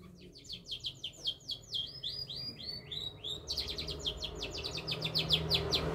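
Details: Canary singing a fast series of repeated sweeping chirps, first slower then accelerating into a dense rapid trill, steady low hum in the background.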